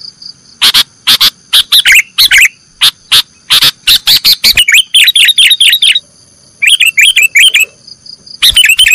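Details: Master recording of sooty-headed bulbul song in the nggaruda style, used for training cage birds. A string of sharp clicks gives way to rapid repeated twittering phrases, a pause, then more quick chirp runs.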